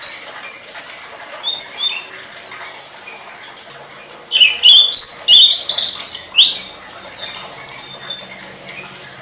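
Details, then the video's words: Tledekan (flowerpecker) song on a master recording for training songbirds: fast, high, squeaky chirps repeated roughly three per second, swelling into a loud, intense twittering burst around the middle. "Suara Burung Tledekan"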